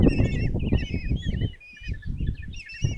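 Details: Common kestrel chicks, five in a nest box at Tiszalök, Hungary, begging as their mother brings breakfast on 26 June 2024; wavering, trilled calls overlap almost continuously, with a short lull midway and low thumping and rustling from the nest.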